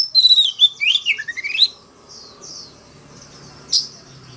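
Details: Oriental magpie-robin fighting song, a rapid tumbling run of whistled notes sliding up and down, followed by soft warbling and one last sharp note.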